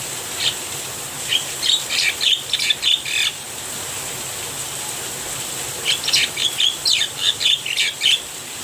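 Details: Javan myna singing while rain falls: two bouts of quick, chattering, squeaky notes about four per second, separated by a pause, over a steady hiss of rainfall.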